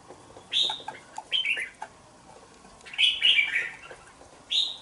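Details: Caged two-month-old red-whiskered bulbul, housed in a bổi cage, delivers clear bubbly whistled phrases, some single sharp notes and a longer rolling warble, with short gaps between bursts.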